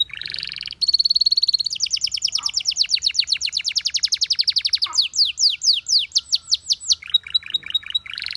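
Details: Canary singing a buzzy opening and a long, rapid, ringing trill, then slower descending slurred notes and a short series of clipped whistles.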